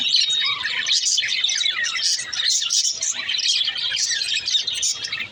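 Lovebirds chatter in a dense, continuous stream of high, shrill chirps and squeaks.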